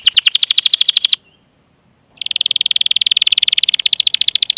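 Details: Canary song used as a training lure for young or silent canaries, long chirping and rolling style: a fast buzzy trill of repeated notes, a second of silence, then a longer, even, rapidly pulsed roll.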